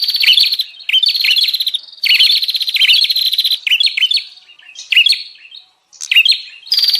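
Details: Lure call of the bar-winged prinia for drawing in wild birds, fast buzzy rattling phrases mixed with high sharp chirps, several bursts separated by short gaps, a quiet pause near the end.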